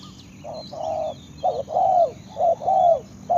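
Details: Spotted dove with a run of soft, low coos, some short and some drawn out and gently falling, closely spaced, with faint high bird calls behind.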